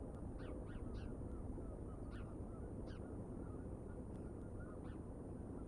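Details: Bald eagles on a live nature cam, 31 August 2022 around 19:02, give a series of thin, high chirping notes, several quick ones grouped early and then spaced singly, over a steady loud low rumble.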